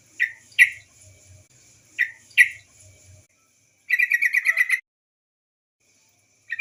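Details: Female yellow-vented bulbul calling, a sound used to lure other birds into singing: two pairs of sharp, bright chips, then a rapid rattling trill of about ten notes, with a faint higher whine in the background.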